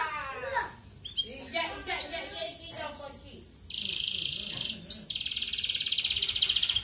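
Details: ["Red canary singing 'ngerek' style to encourage female breeding. A jumble of varied chirps and warbles leads into two long, dense buzzy trills separated by a brief pause."]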